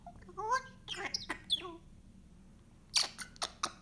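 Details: A pet grey parrot in a quiet room gives short calls: a rising whistled note, then a few sharp clicks and squawks, a pause, and more abrupt clicking squeaks.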